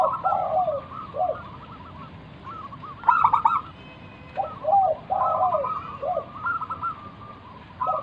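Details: Wild local zebra dove, lively song used as a lure to make other doves answer and coo: rippling, tremulous coos of rolled notes in bursts, with lower and higher phrases alternating; a short cluster of sharp clicks midway.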